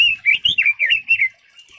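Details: Red-billed leiothrix (Leiothrix lutea) singing a quick, loud warble of slurred, rising and falling whistled notes that tumble together for just over a second, then trail off into quiet.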